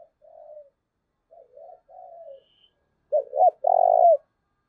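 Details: Spotted dove cooing, played to lure wild doves and make them coo: soft, low drawn coos, then a loud phrase of two short hiccuping notes and a long rolling crooo.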